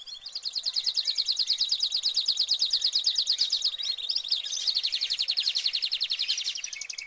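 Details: Caged canary singing a long high trill of fast rapid repeated notes, over two per second in pulsing bursts, shifting into a brighter rolling run near the end.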